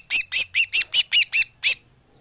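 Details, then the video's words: Greater green leafbird lure call used to attract leafbirds: eight harsh, high, chattering notes in a quick burst of about five per second, with a brief pause before the last note. "Suara Pikat burung cucak hijau / leaf bird call"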